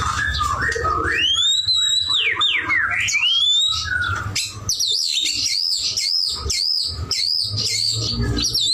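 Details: White-rumped shama singing vigorously (gacor): varied loud whistles rising and falling, with sweeping slurred phrases, then a fast repeated trill of looping high notes for the last four seconds; low steady hum underneath.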